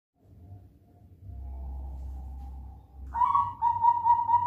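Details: A four-month-old zebra dove gives a clear, mellow, bubbling coo of rapid repeated notes in the last second and a half, after a stretch of low hum.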